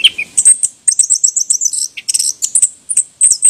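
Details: Chestnut-capped thrush (anis kembang), a songbird of Southeast Asian forests: rapid high chirps and short whistled notes, tightly packed with brief pauses, some quick rising and falling squeaky phrases.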